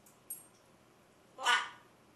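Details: Pet macaw chattering indoors: a faint click early on, then one loud, harsh, broadband squawk lasting about half a second in a quiet room.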